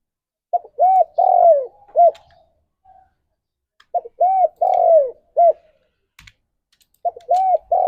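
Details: Morning song of a spotted dove, used to stir mating drive: two full phrases of four soft, arched coos, the third note longest and falling, separated by several seconds of quiet before another phrase begins.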